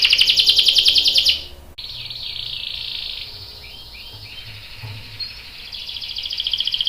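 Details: Canary song, a young male answering: loud dense rolling trill, a break, then soft sustained twittering with a few faint upslurred whistles before the trill swells again.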